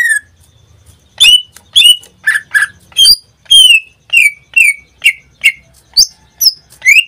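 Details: Greater green leafbird kept in captivity, singing almost every day: roughly two notes per second, a run of varied clear whistles and sharp chips, some dropping in pitch, others high and thin.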